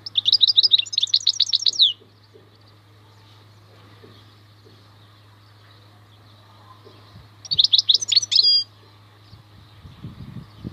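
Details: European goldfinch, locally maknine, singing khalwi: two short, rapid tinkling twitter phrases about six seconds apart, over a steady low electrical hum and soft handling noises.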